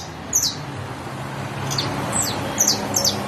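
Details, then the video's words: Canario criollo, or saffron finch, delivering a few separate high, sharp chirps that slide downward, spaced unevenly over a few seconds, with faint low background rumble. "Canario criollo bastó"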